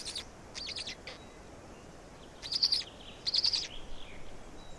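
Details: Black storks in Estonia, feeding on 16 May 2019 around 16:58: a few thin rasping bursts, then two louder, harsher squeal flurries, with quiet hiss between.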